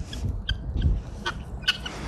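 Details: Free-roaming helmeted guineafowl at a zoo park on a sunny day, with mealworms being thrown to the fowl, give four short, harsh, grating calls roughly every half second over a low rumble of wind or handling noise.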